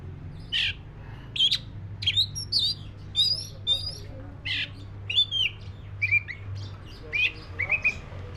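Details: Song of a black-breasted white-rumped shama: varied sharp whistles, clicks and short buzzy trills in quick bursts, about one phrase every half second, with a low hum throughout.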